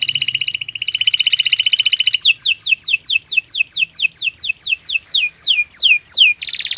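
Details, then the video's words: Canary singing a master song for other birds, opening with fast buzzy trills, followed by a steady series of clear descending whistles about three a second, and a final trill. "Kicau Burung Kenari 174 II LUAR BIASA GACOR PANJANG Cocok untuk Masteran"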